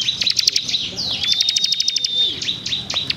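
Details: Bar-winged Prinia delivering tight, rapid song bursts: choppy high ticking notes, a long level whistle sliding down at its end, then more short sharp flicked notes.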